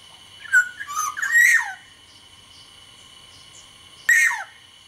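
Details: Sumbawa black-naped oriole singing actively: a rich run of clear whistled notes rising and falling, ending in a drooping slur, then a shorter repeat of the phrase after a two-second pause, with a constant background hum.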